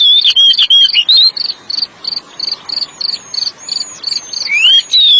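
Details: Oriental magpie-robin singing for stressed-bird therapy: a rapid run of short, sharp, high notes repeated nearly three times a second, framed by longer slurred whistles at the start and a rising whistle near the end.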